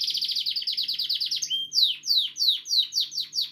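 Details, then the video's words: Pet male canary singing, a sign given of being happy and healthy: a fast high trill of rapid repeated notes, then slower falling downsweeping chips repeated about three times a second. "Canary sings"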